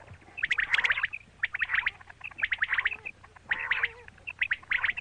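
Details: Calls of a female quail, known locally as batair: buzzy, chattering bursts about one second apart, each a cluster of rapid harsh notes with bright ticks, repeated steadily throughout.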